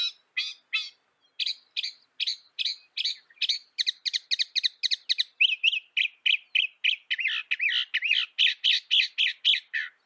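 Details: Northern mockingbird, a North American songbird, delivering a rapid, continuous string of sharp repeated notes, about four per second, shifting from clipped chips to buzzy rolling trills partway through.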